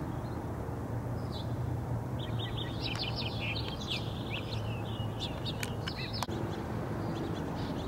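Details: A purple-throated carib (Eulampis jugularis), recorded on 18 June 2015, gives a run of high, thin chips and sharp twitters over several seconds against a steady low rumble of background noise.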